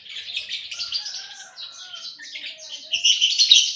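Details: Lovebirds in a breeding aviary in Aceh: continuous high, buzzy chattering of overlapping rapid chirps, with a few thin whistled notes underneath, growing louder and denser toward the end.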